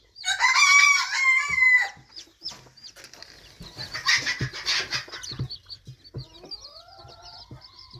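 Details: Red junglefowl chicks: a loud, harmonic drawn-out call opens, then scattered taps and rustles, followed by thin high peeping chirps and a few rising whistled notes toward the end.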